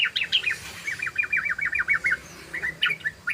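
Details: Ropel song of a trucukan, the yellow-vented bulbul: a rapid run of rolling, even chirps that trails into a few separate sharp notes, over a noisy hissing background.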